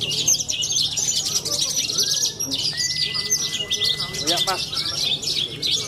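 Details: Contest-winning young bushlark from Cilacap, Indonesia, pouring out continuous high twittering trills and rattles. A steady thin tone is heard partway through, a brief lower chirp comes near the end, and faint background talk continues underneath.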